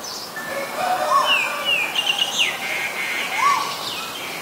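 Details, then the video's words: Asian koel, male and female birds: two short arched notes that rise then fall, spaced a couple of seconds apart, among thin high chirps and sliding whistles from other birds over a steady background hiss. "นกกาเหว่าตัวผู้และตัวเมีย (Asian koel, Male, Female)"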